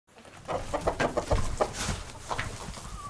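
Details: A hen moving about clucks in quick, short, mid-pitched bursts, about eight clucks packed into the first two seconds, then a few softer ones, with low thumping handling noises underneath.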